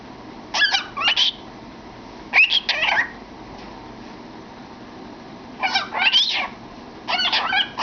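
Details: A male cockatiel with his head in a cardboard tube, singing and chattering, gives four bursts of warbling whistles with quick rising and falling notes, spaced a few seconds apart, against a faint steady hiss.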